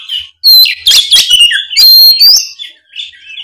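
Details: Oriental magpie-robin (kacer) singing loudly and continuously in the open 'gacor ngeplong' style, used as a lure for young spotted birds; a rich run of sharp whistles, rising sweeps and quick chattering notes, delivered at a loud volume.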